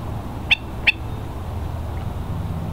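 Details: Hawaiian stilt (Himantopus mexicanus knudseni) by the shore at Pearl Harbor, Oahu, at low tide in March 2013; two short, sharp yelps close together, then only soft background rumble.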